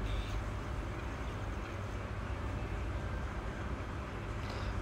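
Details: Continuous low rumbling traffic or vehicle noise fills the recording outdoors, with no animal calls standing out.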